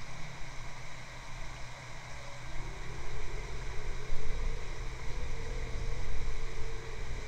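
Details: Droning hum with strong low rumble swelling and fading, and no animal voices.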